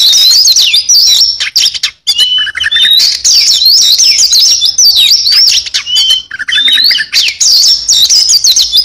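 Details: Oriental magpie-robin in full song with rich fill-in phrases: dense high sweeping whistles and twittering runs, one short lower buzzy note, flowing almost without pause.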